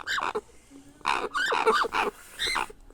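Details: Begging grey parrot chick during hand-feeding: a few loud, hoarse, wavering squawks with bending pitch, run together in a short burst.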